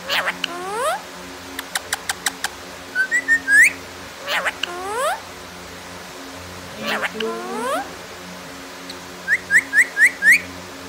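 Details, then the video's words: Indoor pet parrot chattering: repeated upswept harmonic squawks, crisp clicks and bursts of short rising whistles, ending with five quick ascending chirps in a row, steady low room hum underneath. "Miya Mitthu Ki baten Suno"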